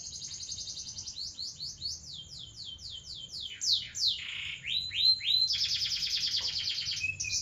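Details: A canary sings seri loper song: a fast run of repeated downslurred whistles, then a lower rolling phrase and a rapid high buzzy trill, over a faint steady high whine.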